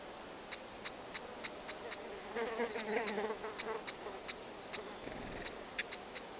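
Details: Stonechats, a pair feeding nestlings in the wild; dry clicking ticks repeated every half second or so throughout, with a buzzing insect drone in the middle and faint high chirps.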